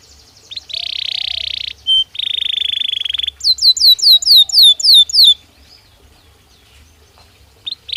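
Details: Natural singing from a Belgian canary: a buzzy, sustained trill, one brief note, another rolling trill, then a run of about eight swooping, falling whistles, followed by quiet and a short final burst.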